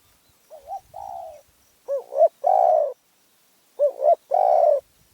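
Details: Spotted dove in Phrae, Thailand, with a small, fierce voice, cooing in phrases: two wavering short notes, then a sustained mellow coo, repeated three times with short gaps.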